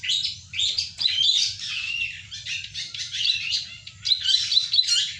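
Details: Ciwah in full song, kept as a lure or master bird: continuous rapid high twittering and chattering in bursts, almost without pause, over a faint low hum.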